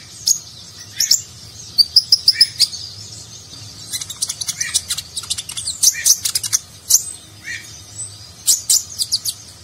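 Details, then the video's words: Sunbird known locally as konin, singing a rich nagen-style song used to train contest birds: rapid strings of bright, high, clicking chirps and squeaky trills, coming in dense clusters that break off and start again. "Konin Gacor Isian Mewah Gaya Nagen, Cocok Untuk Masteran Burung Lomba"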